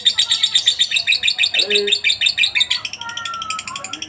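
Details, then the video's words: Lovebird ticking and chattering in 'ngetik' and 'ngekek' style, recorded as master sound for other lovebirds: fast shrill pulsed notes, becoming lighter, ticking clicks in the last second, with occasional lower whistled squeaks. "masteran burung Lovebird ngetik,ngekek cocok buat lb lain biar cepat gacor ,ngekek panjang"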